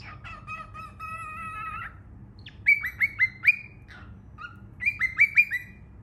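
A young cockatiel gives a long harmonic-rich note, then two quick runs of four or five short, rising squeaky chirps.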